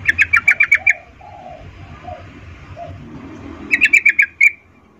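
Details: A female yellow-vented bulbul calling to a male in breeding condition gives two bursts of six quick, bright chattering notes a few seconds apart, with softer, lower notes between them.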